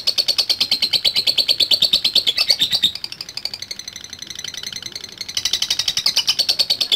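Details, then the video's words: Lovebird ngekek in the ngetik style with long duration: quick, loud, high chattering pulses, a short softer stretch in the middle, then the rapid shrill run resumes. "LOVE BIRD NGETIK NGEKEK DURASI PANJANG"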